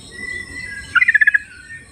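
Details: Sooty-headed bulbul singing in the wild: a single quick string of about seven clear, bubbly notes, slightly falling, delivered in under half a second against faint high-pitched background sounds.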